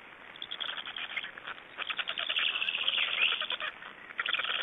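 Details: Estonian black stork young calling for food at the nest on 26 May 2012: a quiet start swells into steady, rapid, rasping pulses that keep going almost without pause.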